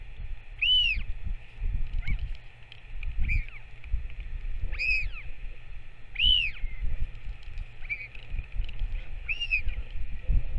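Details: Northern royal albatross, a parent back at the nest and feeding its chick, 21 May 2024: clear arched, whistled calls with a rise and fall, repeated about every one and a half to three seconds over steady low wind rumble.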